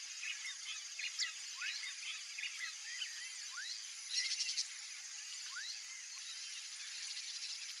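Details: A free-ranging pair of Yellow-rumped Marshbirds (Pseudoleistes guirahuro) in a Brazilian marsh give short, rising whistled notes every couple of seconds and a brief chattering burst, over a dense, high, buzzy chorus of other birds and insects.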